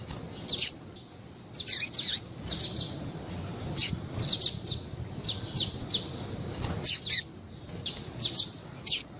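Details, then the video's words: Female double-collared seedeater, a calling bird used to stir up males, giving short sharp high chips in loose clusters of two or three, spaced irregularly over a faint low background hiss. "Fêmea de papa capim louca piadeira"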